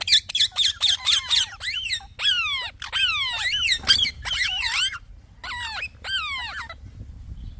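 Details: A talking parrot gives chirps: fast stacked harsh notes at the start, then longer downward-sliding whistled calls in runs, with gaps of silence and a faint background hum.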